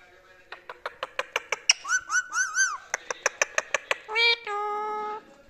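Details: Pet rose-ringed parakeet (ringneck) in Pakistan or India, playing and copying a cat's voice: series of sharp clicks, wavering whistled warbles, then drawn-out nasal meow-like tones.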